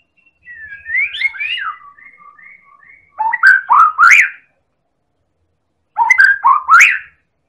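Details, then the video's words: White-rumped shama, Medan type, from Indonesia, a persistent singer used as a lure to make other birds sing: opens with a gliding warble and quiet trailing whistles, then two bright, rolling phrases of rising fluted notes. "Pancingan Burung Murai Batu Medan Super Gacor"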